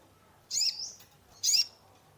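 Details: Two emphatic high chirps about a second apart, each running into a thin whistled tail, from a caged sunbird (kolibri ninja) whose song serves as a lure for a stressed bird.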